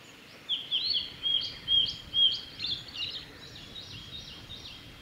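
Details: Male blue-and-white flycatcher singing along the Mizusawa forest road in Tanzawa, Japan, on 28 May 2021: a run of clear, high whistled notes, some sliding and slurred, about five in two seconds, then softer trailing notes.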